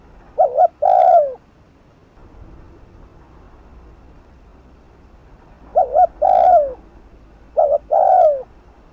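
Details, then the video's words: Spotted dove cooing to provoke rival birds at a decoy, 'thúc gù' style. One phrase, a long silent gap, then two more clipped double notes with falling coos near the end. "Cu gáy Thúc Gù TỐC ĐỘ kích bổi/kích mồi nổi điên gáy ngay"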